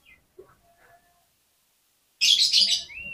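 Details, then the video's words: Oriental magpie-robin in fighting mode, singing to provoke rival magpie-robins: faint scattered notes, then a sudden loud, harsh, chattering burst ending in a clear, rising whistle. "KACER GACOR FULL FIGHTER !!! COCOK UNTUK PEMBANGKIT EMOSI KACER LAWAN AGAR NGOTOT"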